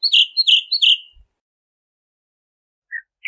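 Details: Bahama mockingbird giving three quick, identical falling whistled notes in a row, then near silence with two faint short chirps at the end.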